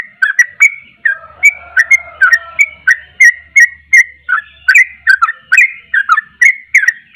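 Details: Sooty-headed bulbul singing in quick succession, bubbly slurred whistles mixed with a few longer even notes, over a soft low whistle and faint low rumbling near the start.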